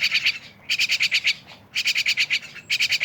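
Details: Myna uttering fast sequences of nasal, buzzy notes in tight bursts, each about half a second, separated by quiet breaks.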